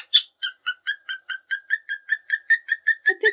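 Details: A pet cockatiel sings during the quiet after-lunch rest while its companion cockatiel dozes, a quick run of clear, even whistled notes, about four each second at a steady mid pitch; a low voice-like murmur comes in at the end.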